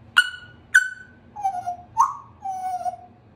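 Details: Baby Congo African Grey parrot, a female hatched June 2021, kept as a pet and practising her words: whistled syllables, two sharp high notes then three lower drawn-out tones falling slightly, indoors.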